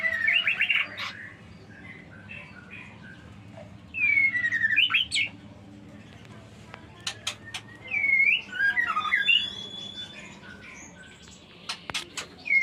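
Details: White-rumped shama chick on its sixth day, giving short high chirps in brief bursts around 4, 8 and 12 seconds, with sharp clicks and faint background noise between calls.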